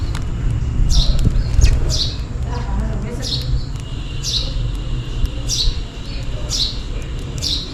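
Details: Repeated sharp sparrow chirps, about one per second and slightly irregular, given while calling for food in rainy weather; a low continuous rumble and occasional ticks sit underneath.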